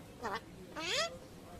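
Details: Talking common myna mimicking speech, calling "choto". Two voice-like syllables: a short nasal note, then a longer rising-and-falling tone, with a low hum behind.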